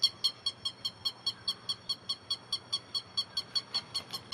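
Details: Grey-headed lapwing calling, recorded to lure birds for trapping; a quieter series of short, shrill, regularly repeated notes at a brisk pace, over faint background hiss and hum.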